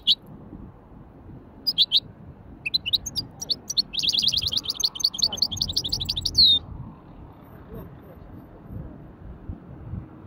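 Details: Hybrid finch giving a light warm-up in the widani song style: scattered high chirps, then a fast run of rapid twittering notes ending in a drawn-out whistle, followed by quiet with low background rumble.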